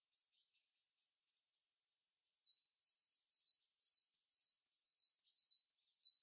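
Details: Birds in their natural habitat: sharp high chirps, a brief pause, then a steady run of short clipped notes about twice a second, each with a thin tonal tail.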